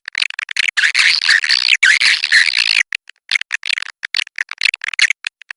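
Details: Kapuas River swiftlets give a sustained, slightly lower, buzzy twittering for about two seconds, followed by a rapid scatter of short chirps.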